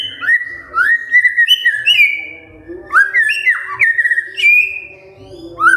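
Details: Magpie-robin morning song used as a lure to set silent birds singing: loud whistled notes sliding between high and mid pitch, with warbled runs and short pauses, over a faint low hum.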